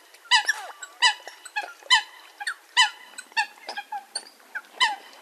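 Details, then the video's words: Hunting-call recording of a Eurasian coot: a loose series of harsh, nasal, trumpeting notes roughly once a second, with softer squeaky notes and a thin whistle between them. "Eurasian Coot (Fulica atra) Real Hunting Call Sound"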